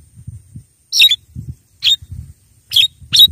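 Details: Javan myna call used to attract wild mynas: four harsh, grating bursts alternating with soft low thuds.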